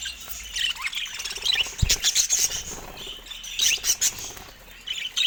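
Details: Caged budgerigars close to a camera they are attacking: quick twittering chirps in short clusters, softer between bursts, with a single low thump near the middle.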